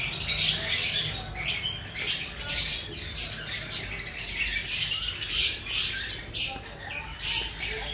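A colony of yellow-sided conures gives harsh, overlapping squawks and chattering screeches, several each second, in a steady, rasping din.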